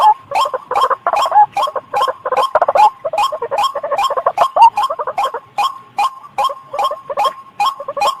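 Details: White-breasted waterhen call played as a trapping lure, a busy run of rough croaks and clicking pulses over a sustained mid tone, repeated roughly two and a half times a second and thinning toward the end.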